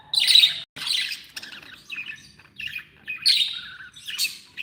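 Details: Pet budgerigars described as happy give loud, rasping squawks followed by a run of short chirps and scratchy warbled phrases, spaced roughly every second, with bright high notes near the end.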